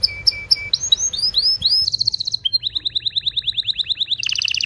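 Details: Strong canary song aimed at stimulating breeding in males and females: flat whistled notes, rising sweeps, a fast trill, a steady run of rising slurs and a closing buzzy doubled trill.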